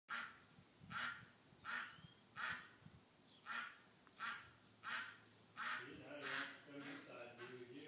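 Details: A lost duck calling: a steady series of harsh, nasal quacks, about one every 0.7 seconds, fairly distant, with a faint higher whistle near the end.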